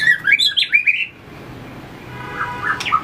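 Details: White-rumped shama being trained to sing in competition, flicking its tail and running on the perch: a quick burst of bright, rising whistled notes for one second, then near silence before a few soft warbles.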